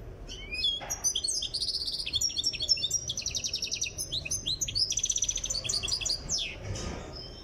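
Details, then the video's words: Tiaret goldfinch under training delivers a long, dense run of high twittering, sharp clicks and rasping buzzy trills, nearly unbroken for seven seconds, with only a faint low background. "تغريد مقنين تيارت"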